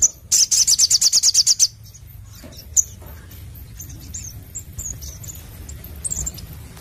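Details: Crimson sunbird (sogon) in energetic 'nembak' singing: it opens with a very high, fast trill of a dozen sharp notes, then gives faint scattered high twitters over a low hum.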